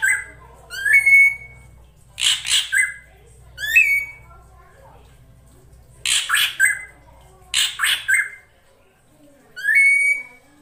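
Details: Drongo female call meant to draw in a male, played as a trapping lure: rising whistled notes alternating with harsh broadband squawking bursts in clusters of two or three, separated by quiet gaps, over a faint low hum.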